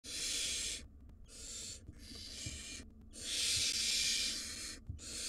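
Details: Wild barn owl nestlings, five of them, in a monitored nest box calling to their parents: long harsh hissing screeches, broadband and noisy, repeated in bursts of about a second with short gaps between, some overlapping.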